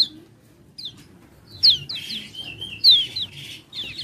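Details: Lure recording of a common iora used to stir other ioras into singing: clear high descending whistles mixed with short slurred chattering phrases, two loud accented notes standing out, low background rumble.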